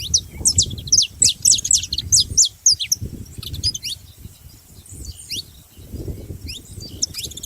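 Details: Saffron finch, known locally as canário da terra, singing in rapid bursts of sharp, downward-slurred high chirps, clustered in fast runs with brief pauses, over a low rumbling background noise.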